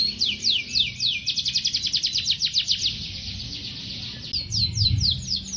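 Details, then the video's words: Canary tutor song, used to prompt young birds and silent canaries to sing: a rapid, buzzy trill of sharp repeated notes, a brief pause, then a few falling whistled sweeps over faint low background rumble. "Masteran Kenari GACOR Durasi Panjang‼️ COCOK untuk Pancingan Kenari PAUD dan Kenari MACET BUNYI"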